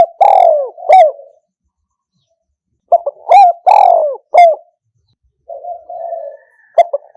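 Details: Recorded in 2022 to draw in doves, a Spotted dove gives 'kham khu kham' style calling: two phrases of deep, resonant coos with downward slides, a soft wavering coo afterward, and a new phrase beginning.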